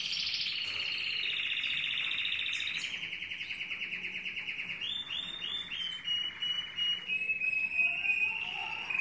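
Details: Harlequin Belgian canary in a cage, singing to a nearby female that has not yet responded: an unbroken run of rapid rolling trills, starting higher then settling lower, with changes of tempo into bubbling, pulsed phrases.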